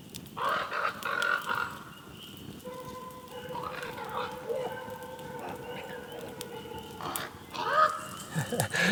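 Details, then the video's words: A common raven sitting on its perch near an off-grid cabin in the Central Ontario wilderness mimics sounds in rich, voice-like tones that rise, hold and waver, almost like speech, with short pauses, seeming to hold a conversation. "This raven actually sat on his perch and talked to us."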